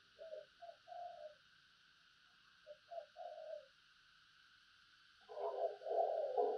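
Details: Decoy spotted dove giving low mellow coo phrases twice. A loud rough noise burst ends the recording, and a constant hiss runs throughout.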